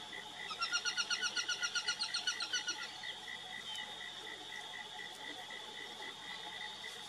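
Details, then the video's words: Rapid, regular chatter from an Aplomado falcon, roughly eighteen sharp notes in a burst lasting over two seconds, then only a continuous pulsing insect-like background hum with a thin high tone. "CANTO do FALCÃO-DE-COLEIRA (FALCO FEMORALIS) APLOMADO FALCON"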